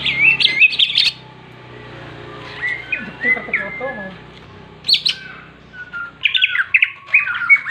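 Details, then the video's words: Greater green leafbird fighting song, full 'ngentrok jenggrik', made to excite other leafbirds: bursts of squeaky chatter, softer whistled phrases, a sharp high note, then more rapid twittering over a faint low hum. "CUCAK IJO TARUNG FULL NGENTROK JENGGRIK DI JAMIN BIKIN EMOSI CUCAK IJO LAIN"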